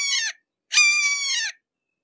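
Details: A red-shouldered hawk, close by, utters a short harsh note followed by a longer drawn-out wailing call that slides gently downward.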